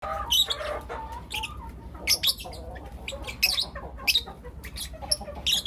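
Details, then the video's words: Four young lutino lovebirds in the morning give sharp, harsh high chirps in short bursts spaced irregularly about every half second to second, mixed with a few softer lower warbled notes. "Lutino LoveBird Chirping Sounds - four Cute LoveBird Kids"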